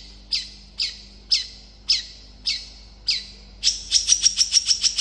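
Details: Long-tailed shrike, a call used to lure other shrikes into answering, gives seven harsh, rasping notes about twice a second, then speeds into a rapid chattering run of shorter notes.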